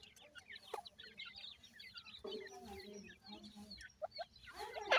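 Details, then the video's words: Grey francolin chicks, described as white, at feeding time in captivity: a busy stream of short, high, chirping peeps from many chicks, with a lower, steady, droning call in the middle and a louder burst at the end. "grey pheasant white chicks,partridge bird baby feeding time"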